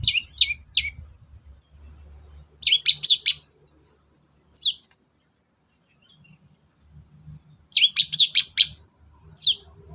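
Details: Long-tailed shrike singing energetically, used as a lure to get silent shrikes to sing: sharp, high chirps in short bursts, some quick clusters of three or four notes, separated by pauses, with faint low rumble beneath.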